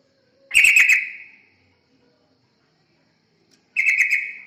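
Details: Yellow-vented bulbul lure song for attracting other birds. Two short, bubbling, chattering phrases are separated by roughly three seconds of silence. Each phrase is loud at the start and tapers away.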